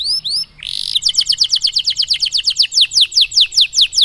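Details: Canary song meant to train young canaries to sing: a few high chirps and a buzzy note, then a steady rapid trill of bright descending whistled notes repeated evenly.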